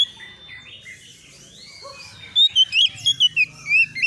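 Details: Oriental magpie-robin, an untrained bird, reacting in agitation to a rival: faint low rumble at first, then a rapid string of loud, clear whistled notes and slurred trills near the end.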